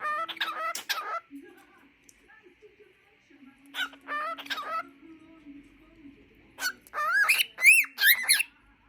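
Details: A pet cockatiel belts out a Sunday tune while his room is cleaned, singing in scratchy, chattering bursts that end in clear rising whistles.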